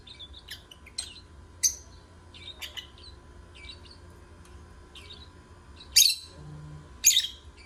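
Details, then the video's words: Lovebird song of scattered high, squeaky chirps and short twitters, with two louder, harsher bursts near the end, over a low background hum. "Love Birds Singing"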